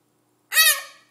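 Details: Pet Hahn's macaw indoors giving one loud, harsh, nasal squawk that falls slightly and fades over half a second.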